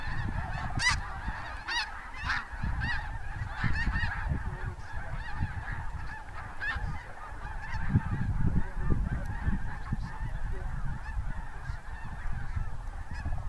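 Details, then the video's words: Hundreds of snow geese lifting into flight from cornfields at the Bosque del Apache wildlife preserve just before sunset in January 2014: a dense, continuous chorus of overlapping nasal squawks and honks over a steady low rumble of wind and wingbeats. "The "squawking" sound is from the geese"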